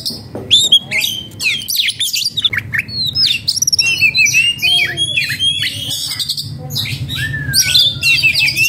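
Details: Oriental magpie-robin, agitated and in breeding condition, mixing harsh squawk-like notes with sharp chirps and sweet whistles, including a long falling whistle, in a continuous lively song.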